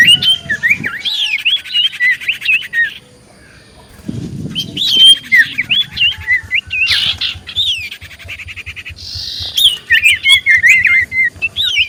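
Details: Lure recording of an actively singing common iora meant to draw answers: looping, warbled whistles in quick phrases, separated by buzzy rasping bands, with a brief quiet gap and a low background rumble.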